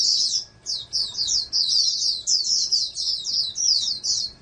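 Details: Sharp high twittering from a captive-bred oriental white-eye raised for national competition, a brief opening burst then a steady stream of fast chirped notes.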